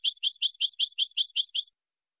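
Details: European goldfinch song from a silvestrismo recording: a clean run of eight bright, chirping double notes repeated about four to five times a second, then stopping, with no other sounds.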